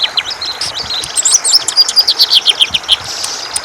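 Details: Greater green leafbird, a caged cucak ijo in gacor ngentrok style, singing dense high chirps and sweeping whistles, quick notes packed about four a second, bright and busy throughout.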